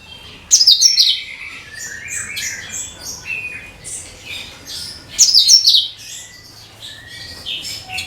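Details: Lure song of the cucak kinoi bulbul, meant to draw all kinds of birds. Two loud scratchy high flourishes about four and a half seconds apart, with softer whistled chirps between them.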